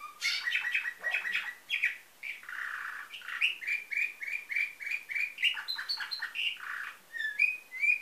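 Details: Nightingale-style canary song from a Varna, Bulgaria breeder: dense chattering chirps, a low rolling tour, then a long series of repeated whistles and rising high notes.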